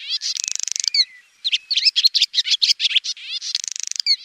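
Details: A swallow's bright song opens with a grating buzz, drops into sliding whistled notes and quick liquid chirps, then closes with another dry rattle.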